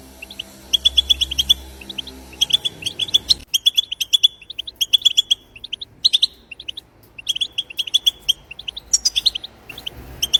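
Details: Wild goldfinch song played to encourage goldfinches to sing. Rapid strings of clear, high tinkling notes come in several bursts with short gaps between them. A low hum fades out after the first few seconds.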